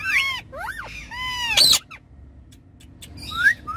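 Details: Ringneck parrots riding on a car's back seat: curved whistled squeals and a harsh burst, a quiet stretch, then rising shrill notes at the end.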